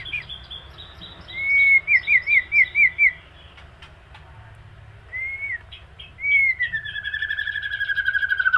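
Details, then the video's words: Moulting white-rumped shama singing: a rapid series of six looping whistled notes, a pause, a single slurred whistle, then a long descending whistle overlaid with fast high ticking trills. "Suara Murai Mabung"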